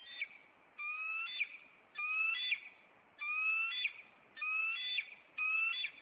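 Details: Bald eagles at a Maine nest call on April 26 as the male flies at an intruder and lands on a nearby branch. Rising whistled squeals, each ending in a sharp high chirp, repeat about once a second.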